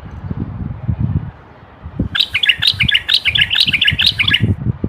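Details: Male Moroccan common bulbul song intended to stimulate singing males and prepare females to mate. After low thuds, a rapid tumbling phrase of bright chirped notes lasts over two seconds, with clattering low noise beneath.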